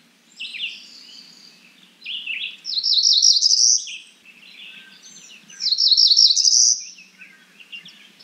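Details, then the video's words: Cerulean warbler calling: high, buzzy trills rise in rapid pulsed notes, heard twice about three seconds apart. Softer slurred chirps and whistles from other birds fill the gaps. "Cerulean warbler Calling."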